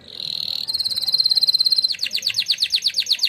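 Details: Canary singing contest winner performing training song: steady high buzzing whistle flowing into a very fast trill, then slower repeated descending swoops.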